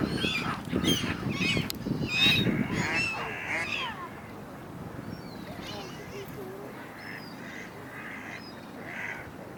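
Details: Many gulls arguing in a flock on the River Dnipro in Kyiv, Ukraine, in January: overlapping harsh, harmonic squawks and yelps crowd the first four seconds, then thin to scattered calls over a constant low rumble of background noise.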